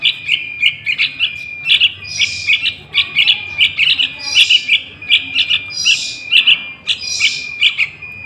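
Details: Juvenile sooty-headed bulbul, calling as a lure for trapping wild ones: rapid runs of short high chirps, interrupted by louder hissy, buzzy bursts, over a steady faint high tone.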